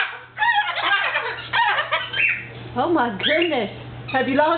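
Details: Indoor pet cockatoo, male, imitating household speech about biting, 'I said stop it', 'ouch', followed by laughter. Separate speech-like syllables with swooping, arched pitch come in short bursts and gaps, including a few rising squeaks.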